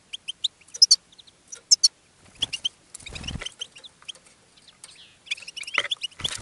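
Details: European goldfinch singing in a cage and attracting other goldfinches; dense, fast tinkling twitters and buzzy notes, stacked high chirps in bursts, with a brief low thump midway.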